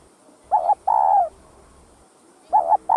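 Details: Spotted dove calling to excite other kept doves: a soft double note followed by a drawn-out, slightly falling coo, then a fresh phrase beginning after a two-second pause; low and mellow, with quiet hiss in the background.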